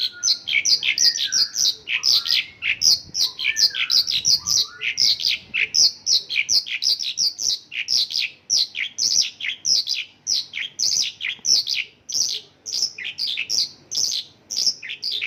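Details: Isian lokalan song of a Mongolian lark: dense, unbroken stream of high, sharp chirps and chattering notes, quickly repeated with little variation in pace, lively and relentless.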